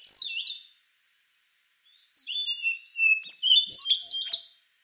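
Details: Singing rufous-brown solitaire: the tail of one phrase, a silent gap, then a long whistled note leading into a bright, quickening jumble of high slurred and ringing tones.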